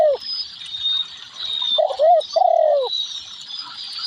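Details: Spotted dove giving one soft, low cooing phrase: a brief note, a short rounded coo, then a longer sliding coo, after the tail of an earlier phrase, with a constant shrill buzzing drone behind.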